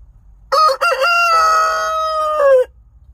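A rooster gives one full crow lasting about two seconds: two short opening notes, then a long held harmonic tone that drops at the end.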